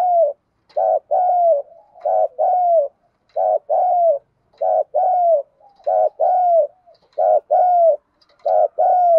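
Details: Female spotted dove decoy calling repeatedly to attract males. Paired coos, each a short note then a longer falling one, repeat steadily about every second and a half, loud and clear.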